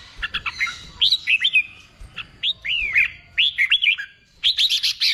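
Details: Red-whiskered bulbul, wild-caught and being trained to sing in contests, gives looping, slurred whistles and buzzy arched notes in short clusters, ending in a harsher, noisier burst.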